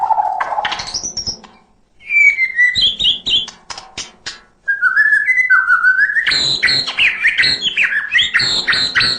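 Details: Murai batu, the white-rumped shama, pouring out fill-in song: a low whistle sweeping upward, a short silence, scattered clicks and whistles, then a dense, fast burst of high varied notes.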